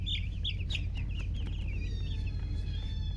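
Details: Newly hatched chicken chicks give a quick run of shrill, falling peeps at the start that fade into faint, thin tones. A loud low hum runs underneath.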